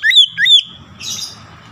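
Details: Oriental magpie-robin song intended to provoke other magpie-robins: two sharp up-slurred whistles in close succession, then a softer hissing, scratchy burst fading into low background noise.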